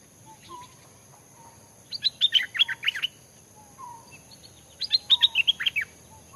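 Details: A caged Stripe-throated Bulbul being trained as a decoy in a durian orchard near a fig tree gives two quick bursts of bubbly, chattering whistled phrases, about three seconds apart, over a steady high whine and faint distant bird notes.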